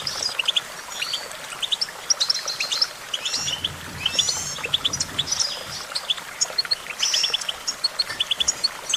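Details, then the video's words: Goldfinch song: fast, high twittering of short tinkling notes and buzzy slurred phrases, dense and continuous, with a faint low rumble in the middle. "Vocal virtuoso: activating enhancing your goldfinch songbird prowess"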